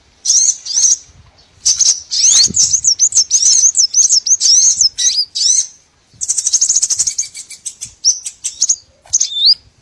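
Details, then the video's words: Small birds used as a trapping lure: busy high twittering with sliding whistled notes and rapid chirps, broken by short silences, ending with a few clear upslurred whistles. "MP3 BURCIL COCOK UNTUK PIKAT SEGALA JENIS BURUNG KECIL"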